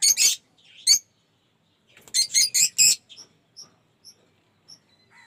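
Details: Aviary lovebirds of several colour mutations make harsh, high squeaky chirps in short bursts, then a run of four loud rasping notes followed by faint thin peeps.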